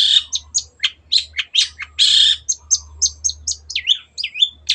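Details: Long-tailed shrike song from a tutoring recording for pet birds: fast, varied sequence of chirps, rasping bursts and slurred whistled notes, densely packed, over a steady low background hum.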